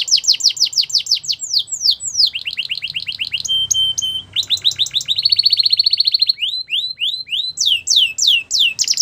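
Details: Belgian canary in continuous song, meant to encourage other canaries to sing: rapid repeated falling whistles in varied runs, a steady high tone, and a long buzzy trill in the middle.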